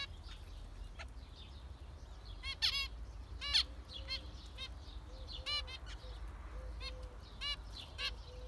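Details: Zebra finches calling repeatedly: loud nasal trumpet-like beeps at irregular intervals, interspersed with soft, short low 'tet' contact notes and faint chatter from other finches.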